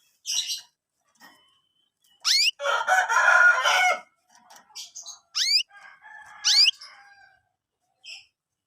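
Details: Young canaries, used as lure material for training canaries, give sharp rising harmonic chirps mixed with a long raspy, buzzy chatter and soft scattered twitters.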